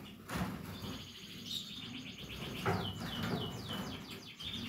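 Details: Captive Portuguese Harlequin canary chicks calling in a series of rapid high chirps and descending notes, over a noisy indoor background with low rumble and knocks.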